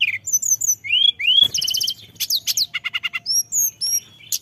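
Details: Lure recording of tledekan gunung singing a varied medley: sharp high whistles sliding up and down, quick stuttering trills, short rattling note series and thin chirps packed closely together.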